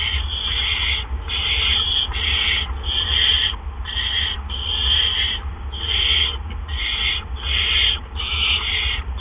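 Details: At a barn owl nest on the evening of April 17, 2013, two adults bring gophers in quick succession. Rasping, drawn-out hisses repeat about once a second over a constant low electrical hum.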